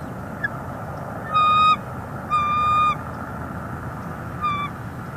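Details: Bald eagle female on a Northeast Florida nest, 11 February 2021, calling to her mate on a branch: three high, level, whistled notes with strong overtones, the middle one longest, over a low steady hum.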